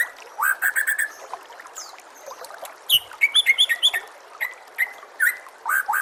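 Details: Varied white-rumped shama tutor song for caged birds, whistled phrases and bursts of quick repeated chips, over a faint trickling water background.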